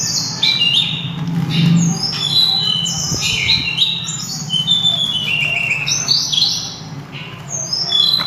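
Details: Loud, melodious song of a sulingan, also called tledekan gunung: a long run of bright whistled phrases stepping down in pitch, repeated with small changes, with a faint low rumble underneath.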